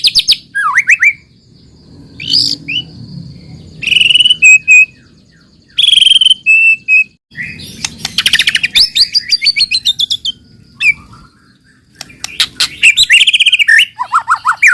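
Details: White-rumped shama singing a lure song meant to prompt other shamas: rich varied phrases with slurred whistles and trills, separated by short pauses, over faint low rumble.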